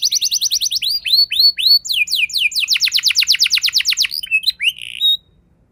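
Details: Canary singing a rolling ngeroll lure song used to provoke other canaries: fast repeated rising whistles, swooping slurred notes, then a rapid even trill of about twenty notes ending in a few chirps and silence.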